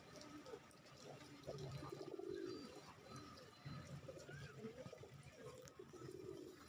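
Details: A Bangladeshi racing pigeon calls as it walks toward the camera among several racers, giving soft, low, rolling coos in repeated bursts.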